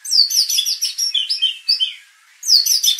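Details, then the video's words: White-rumped shama song used as a provocation recording to make contest birds emotional and bring out their full repertoire: rapid bursts of high, sweeping, overlapping notes, a short silence near two seconds, then another vigorous burst. "pancingan murai batu agar emosi bongkar isian"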